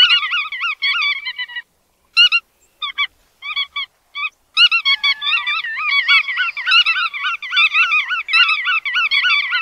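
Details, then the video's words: Bar-tailed godwits calling: short nasal, harmonic notes given singly and in quick bursts, with brief pauses, then several birds overlapping in a steady chattering run. No other sounds. "Tiếng Chim Choắt Đuôi Vằn"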